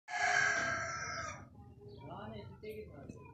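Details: Pet parrot gives one loud, drawn-out, rich-toned call lasting about a second and a half, followed by softer scattered chatter over low background noise.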